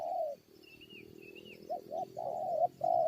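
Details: Spotted dove decoy calling in a fight with wild forest birds: low hollow coos, some drawn out and some clipped short, with faint higher chirps from another bird and a steady thin whine in the background.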